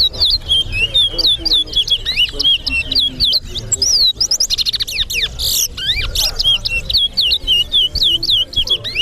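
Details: Towa towa in a singing contest at a Guyana bird ground on Sheriff Street: a steady run of clear looping whistles, about three or four a second, broken midway by harsh buzzy rattles, over faint background chatter.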